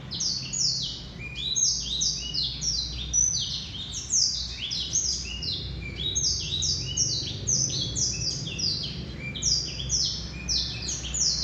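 A male black-throated canary sings a fast, unbroken stream of high, sweet twitters and slurred chirps, over a faint low hum.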